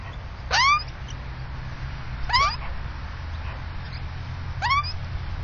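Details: Nesting Australian magpie with chicks, filmed by a security camera fixed above a suburban nest in south-east Melbourne, Victoria: three short, rising, ringing calls spaced about two seconds apart over a low steady hum.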